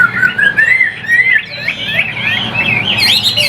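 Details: Short burst of song from a caged Chinese hwamei in Vietnam: clear rising whistles followed by a quick tumbling warble of high notes.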